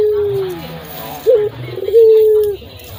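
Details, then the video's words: Local puter dove, very loud and full-voiced, used as a lure: the tail of a falling coo, then a quick wobbling note and another long, steady low coo that drops away. "sUARA BURUNG PUTER FULL GACOR DOOR,PUTER LOKAL SUARA TEBAL SUPER KERAS"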